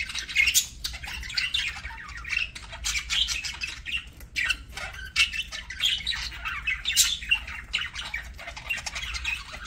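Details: Pet budgerigars during a meal, giving a continuous busy chatter of scratchy chirps, squawks and warbling notes, with short louder high squeaks standing out now and then over a low steady background hum indoors.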